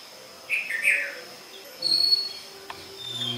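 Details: Red-vented bulbul (Pycnonotus cafer) song in India: a short, bubbly phrase of chirpy notes, then a thinner, higher note, over a faint steady hiss.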